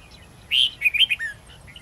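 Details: Red-whiskered bulbul singing a wild-style song with long twisting notes, used to tutor young bulbuls: a loud, bright, warbled phrase of about six quick slurred notes, the first longest and highest, the rest tumbling lower, over faint background hiss.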